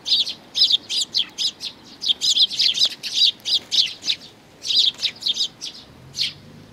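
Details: Sparrow chicks alongside their parents, recorded 11 May 2019: loud run of rapid, high, clipped chirps, nearly continuous for four seconds, then sparser single chirps before fading.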